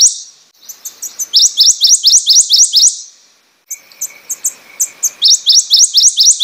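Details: Song of a prothonotary warbler (Protonotaria citrea): loud runs of clear, ringing upslurred notes repeated quickly at one pitch, a pause with a low droning hum and distant high chips, then the series starts again.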